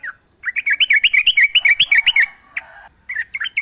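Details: Yellow-vented bulbul song serving as a lure to get other bulbuls singing in reply. A rapid, tumbling chain of bright chirped notes lasts nearly two seconds, then a few more scattered notes. A faint high whine persists.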